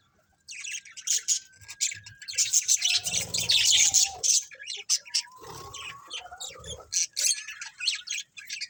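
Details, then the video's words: A colony of colourful budgerigars chirping together: dense, rapid high chatter and buzzy warbles overlapping continuously, with occasional lower squawks and faint wing flutters. "Cute Colourful Budgies Chirping Sounds | Budgies Colony"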